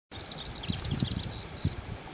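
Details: Black-throated Flowerpiercer in Peru giving a quick, very high jumble of thin twittering notes, ending in two drawn-out high tones, over low rumbling background noise.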